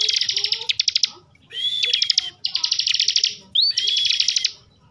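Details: Kept bar-winged prinia (ciblek) from Slawi, Tegal, Central Java, in agitated nonstop 'ngebren' singing: bursts of fast buzzy high trills, each about a second long, with short rising whistles between and pauses; faint low background noise.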